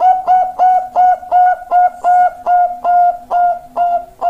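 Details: Perkutut Bangkok zebra dove singing loud, clear, evenly paced coos on one steady pitch, about ten bell-like notes repeated roughly every third of a second.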